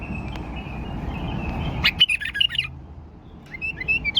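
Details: Caged tame male bulbul in Baghdad, kept in a wire cage and offered for sale, sings bright warbled phrases of short rising and falling whistles in bursts, with a low murmur and rustling underneath.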